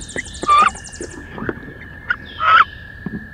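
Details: Two female wood ducks fighting fiercely inside a nest box on 16 May: two short, rising, squealing calls, with a steady electronic hum throughout and a burst of faint high chirping at the start.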